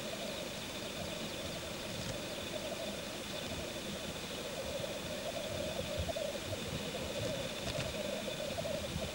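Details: Male black grouse at a courtship lek, displaying. The low, continuous bubbling rookoo chorus runs steadily through the whole recording, with a faint steady hiss above it.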